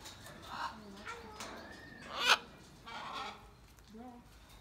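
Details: Blue-and-yellow macaw calling: a single loud, harsh, grating squawk stands out mid-clip amid softer rasps and low moaning tones, with quieter scattered calls before and after.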